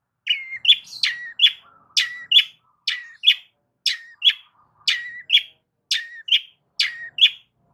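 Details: Loud long-tailed shrike vocalising as a lure for other shrikes: a steady series of paired notes, a short whistled slur followed by a rasping chip, repeated about every second.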